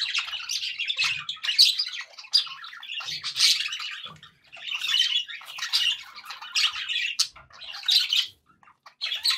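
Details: Budgerigars as pets, chattering happily: overlapping raspy warbles, clicks and shrill squawks in clumps separated by brief pauses, tailing off near the end.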